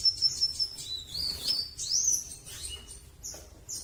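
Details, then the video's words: Velvet-fronted nuthatch song of thin, very high whistled notes, some sliding up and down, mixed with quick chirps over a steady background hiss. "Burung Rambatan Paruh Merah TOP PERFORM"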